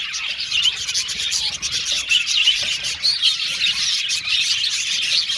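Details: Budgerigars singing and chirping in an aviary colony: crowded high-pitched twittering with quick clipped tweets and warbles, dipping briefly before picking up again.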